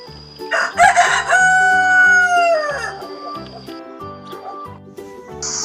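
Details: Farm chicken crowing: a single loud rooster crow, a harsh opening rising into a long drawn-out harmonic note that falls away, over steady background music with a repeating beat.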